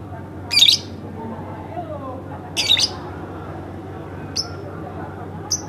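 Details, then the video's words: House lovebird producing two rough, grating squawks about two seconds apart, followed by two brief thin whistled chips. "masteran bukan tapi burung lovebird rumahan"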